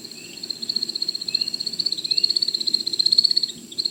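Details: Male American Woodcock in his display flight, landing and then rising again to repeat it: a steady, rapid, high-pitched twittering of even pulses runs the whole stretch over a low background rumble.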